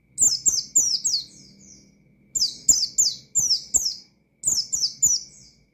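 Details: Oriental white-eye in full ngalas-style song, firing calls to rile up opponent white-eyes: three bursts of four or five rapid, shrill, falling chirps, each burst followed by a short gap of quiet.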